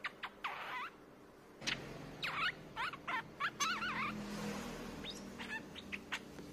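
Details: Streak-eared bulbul song used to lure birds: quick chattering, wavering warbles and sharp clipped notes in irregular bursts, over a low constant background hum.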